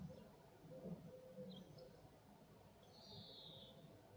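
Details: At Illmitz on 19 July 2024, a Eurasian collared dove gives low, soft coos in quick succession. The coos are faint under a steady low rumble, with a brief higher hiss or chirp near the end.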